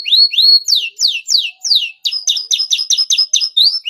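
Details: Canary singing a contest-style cengkok: a series of loud downward-sweeping whistles, then a rapid stuttering run of short clipped notes at a high pitch, ending with a rising whistle.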